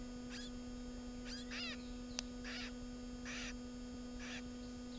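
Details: Garden warbler at its nest during breeding, filmed in June: short harsh, scratchy call notes given singly or in quick pairs about once a second, over a steady electrical hum.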